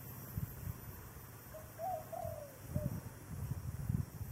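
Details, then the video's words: Dove delivering a thổ đồng style coo: one soft low note, a quick double hoot, a long sliding coo that falls away, and a short final note, with low thumping rumble in the background. "chim cu giọng thổ đồng"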